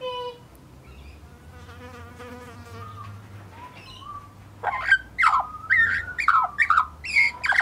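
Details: R2-D2, a scruffy juvenile Australian magpie (Gymnorhina tibicen) recorded in 2014, warbles: soft, wavering, buzzy notes at first, then a loud run of fluted whistles broken by harsh clicks and rasps.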